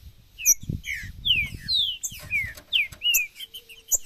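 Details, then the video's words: Green-winged saltator giving macheado song: a run of sweet whistled slurs, mostly descending, delivered in quick succession, interspersed with sharp high chips and a faint low rumble early on. "Para esquentar seu trinca ferro, Macheado, piado"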